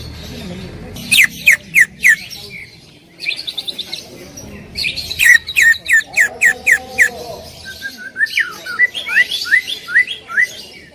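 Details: Loud 'tembakan' song of a greater green leafbird: runs of sharp downslurred whistles repeated about three times a second, with a short rattled trill and a steady low hum in between.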